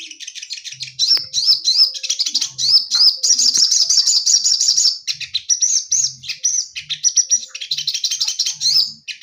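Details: Caged male orange-headed thrush, female close by, pouring out a long, fast, varied song of thin high whistles, trills and chirps, with a dense trilled stretch in the middle and no real break.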